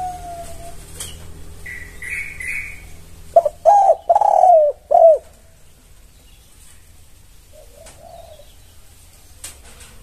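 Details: Spotted dove cooing to prompt other doves to reply: a quick cluster of three soft, rounded coos, then a single fainter distant coo. Thin chirps from another bird come earlier, and a low hum runs throughout.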